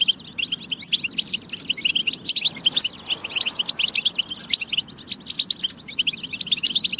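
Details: Dense, fast, high twittering in European goldfinch style, used to stimulate singing, chattering notes packed tightly throughout with a short softer stretch near the middle.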